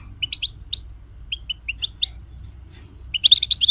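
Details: Singing European goldfinch serving as a tutor for other cage birds: a string of quick high chirps and tinkling notes, then a rapid bright twittering run at the end, with a faint low background hum.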